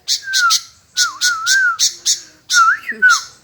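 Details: Sooty-headed bulbul answering continuously: harsh squawky bursts alternate with clear, smoothly gliding whistles, a long undulating phrase in the middle and falling slurred notes at the close.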